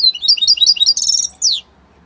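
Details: Song of an Italian-type European goldfinch: a rapid string of liquid twitters leading into a dense high trill and a drawn-out falling slur, then quiet.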